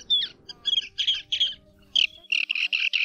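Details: Mongolian plover calls played as a lure for night net trapping, August 2024: short, sharp, chirping notes in quick bursts, with a brief pause, then faster clipped notes at the end. A faint steady electronic hum runs underneath.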